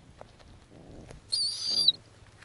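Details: Snowy owl nestlings being fed on the nest by the female. A thin, scratchy squeal of about half a second rises above a steady low hum and soft rustling.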